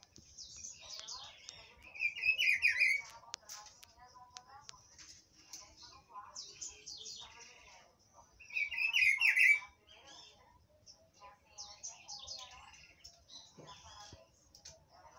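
Two loud, rich warbled phrases from a rufous-browed peppershrike, about six seconds apart, over a busy backdrop of high chirps from other birds.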